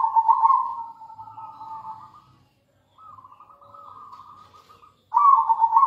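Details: Vigorously singing local zebra dove, recorded as a lure for other doves: a loud burry coo, a long softer trilled run, a pause, another quiet purring phrase, then a fresh loud coo.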